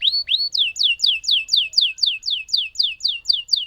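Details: Lemon canary singing, two rising whistles followed by a steady series of bright falling notes repeated about four times per second.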